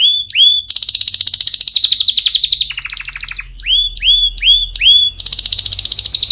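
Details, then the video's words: Canary singing to train chicks: clear down-slurred whistles alternate with long fast rolling trills and a lower buzzy rattle, the phrases changing every second or two, bright and loud throughout. "Canary Singing - Most Spectacular HD Video Training For Chicks"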